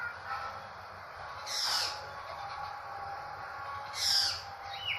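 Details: Drongo from Indonesia, said to resemble a crow, uttering two loud, harsh, rasping bursts about two and a half seconds apart, with a brief whistled note at the end, over constant background hiss.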